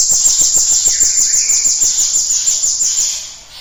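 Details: Cinereous tit song used to prompt other birds to sing. A continuous high-pitched, rapid buzzy trill with evenly spaced pulses lasts over three seconds before tailing off. A faint lower whistle is heard beneath it.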